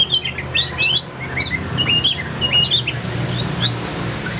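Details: Caged tam hoàng Chinese hwamei pours out a lively run of short, bright whistles that hop between high and lower pitches, varied and rapid, over a low background hum.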